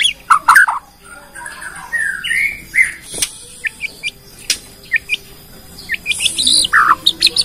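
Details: Indonesian Bornean white-rumped shama singing a repertoire-rich lure song meant to set other shamas singing: scattered clicks, slurred whistled notes rising and falling, then quickening bright chirps toward the end.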